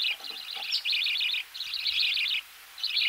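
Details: Budgerigar chicks calling at close range while being fed in the nest, giving rapid, harsh, buzzy chittering bursts in quick runs separated by brief pauses.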